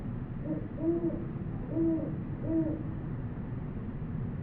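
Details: Great horned owl in New Mexico, field recording on a Sony PCM D100: three deep, soft hoots evenly spaced under a second apart in the first half, then only low ambient rumble.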